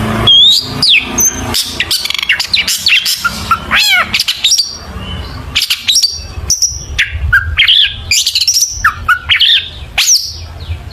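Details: Lure recording of a Long-tailed shrike in full 'isian' song: a long, varied stream of whistles, downslurs, rapid trills, harsh chatter and squeaky notes with hardly a pause.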